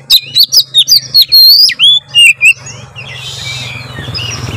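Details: White-rumped shama song used to get other birds singing: a quick series of loud sharp notes and drawn-out whistles, then softer calls over rising background noise and a low hum.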